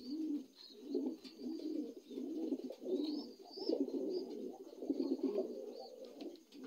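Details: Indoor young adult Lahore pigeons produce dense, bubbling coos in repeated swells about every second, with faint rising chirps of small birds overhead.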